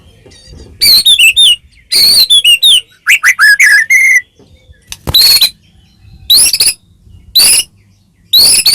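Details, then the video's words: White-rumped shama (murai batu), caged, singing as a provocation to make another bird sing; varied whistled phrases with trills and downslurred notes, then bursts of harsh buzzy notes at intervals of about a second. "murai batu gacor ngeplong PANCINGAN murai batu agar bunyi jadikan burung murai gacor EMOSI NYAUT"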